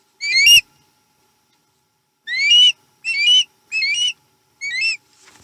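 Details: At a Chesapeake nest on 7 April 2020, with menhaden being eaten, an osprey gives loud upslurred whistles: one single note, a silent gap, then four more rising calls in quick succession.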